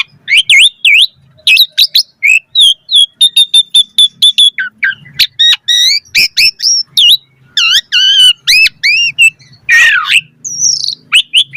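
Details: Vigorous Asian pied starling song used to provoke caged starlings into answering: dense run of clipped chirps, steady high whistles, and looping modulated phrases, ending in a harsh buzzy burst and a final slurred whistle.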